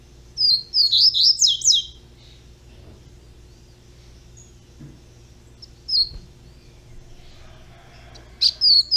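A young double-collared seedeater sings a rapid burst of high, twittering notes, then brief single chips and a final quick flourish over a low steady hum.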